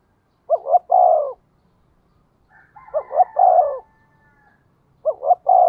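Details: Spotted dove with a 'giọng thổ' voice giving the 'tiếng thúc' call, used as a lure to provoke wild birds. Three coos, each two quick rising notes and then a longer falling note, with a faint thin whistle in between.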